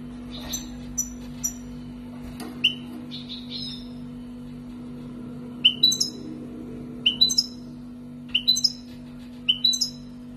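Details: Wild-caught European goldfinch, kept for two years, Algeria, singing its tibatbati sbat sbati style: short high chirps with falling overtones, spaced about a second apart, then louder paired twitters near the end over a steady low electrical hum.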